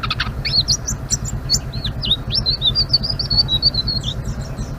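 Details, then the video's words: Chattering 'ngeriwik' song of a Blue-winged leafbird delivered continuously: quick high twittering notes, slurred up and down, run into a fast trill, with a constant low humming drone beneath. "Suara Burung Selendang Biru Gacor❗❗ Ngeriwik"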